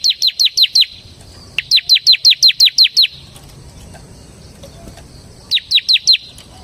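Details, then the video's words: Semi-type bar-winged prinia in full ngebren song, used to draw in and train other birds. Quick series of shrill, descending chirps, five, then eight, then four, evenly spaced within each run and separated by quiet spells. "suara burung CIBLEK SEMI GACOR Ngebren"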